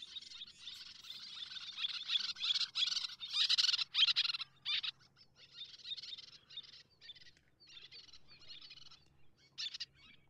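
Little terns give harsh, rasping high calls in quick bursts, loudest in the first few seconds and then more scattered, with faint low hum beneath.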